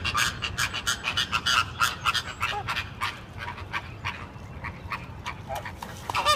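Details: American flamingos calling as a flock: a dense, continuous chatter of nasal honking and gabbling notes, many birds overlapping several times a second over a steady low background rumble.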